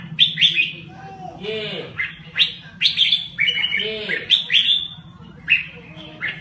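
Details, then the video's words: Red-whiskered bulbul from Laos singing in a rapid rolling style: quick bursts of bright, chirpy warbled notes in short phrases about every second, with lower downward-sweeping whistles between them over a steady low hum. "ນົກຫອນຈຸກລາວ ແບບລົວໆ"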